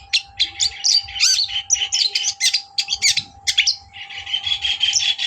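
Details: Long-tailed shrike song played to rile up a rival bird, a near-continuous run of harsh, jumbled chattering and squeaky notes that ends in a buzzy sustained phrase, with a constant background hum.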